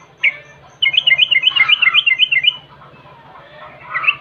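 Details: Yellow-vented bulbul chirping, recorded as a lure to make birds sing: one sharp note, then a quick lively string of about a dozen bright bubbling chirps, ending with a short warble, over faint low hum.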